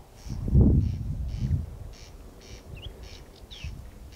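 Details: Corn crake heard at night in Kiili parish, 14 June 2021 at 01:35, giving rhythmic double rasps; a loud low thumping or voice-like noise covers the first part, and a brief faint chirp appears near the end.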